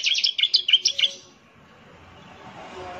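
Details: Bar-winged prinia, semi-gacor, used as a lure sound: a fast string of about seven high, bright, slurred chirps in the first second, then quiet background hiss.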